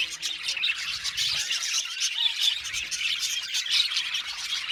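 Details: Budgerigars in an aviary colony chatter in a steady, high, scratchy babble of chirps and squawky squeaks from many overlapping voices.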